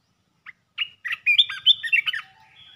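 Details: Red-whiskered bulbul singing quick 'poet dok' phrases. One brief chirp, then a cheerful run of warbled, liquid whistles, finished by a thin drawn-out high note.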